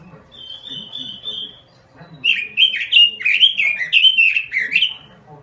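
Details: Robin song opening with a steady, drawn-out high whistle, followed after a short pause by a fast string of rising and falling warbled notes.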